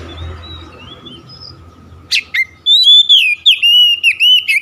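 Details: Kacer, the Oriental magpie-robin, giving lure song meant to set other birds singing. Faint thin whistles come first, then two sharp bright notes and a run of loud, rich whistled phrases with short gaps.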